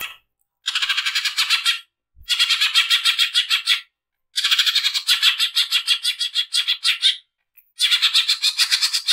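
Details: Greater green leafbird in harsh 'nembak kasar' song, used as a training recording: long runs of rapid, grating rattled notes up to three seconds each, four phrases split by short silent gaps.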